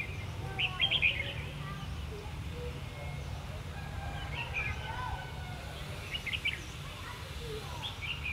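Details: Red-whiskered bulbul, a countryside bird recorded during trapping on 3 January 2019, singing a fighting song. Short, bright warbled phrases come in scattered bursts over a constant low rumble of background noise.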